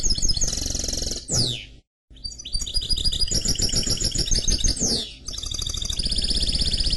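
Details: Hybrid canary x goldfinch mule song of loud rapid trills and twittering runs with repeated descending sweeps, briefly cut to silence once, low steady hum beneath.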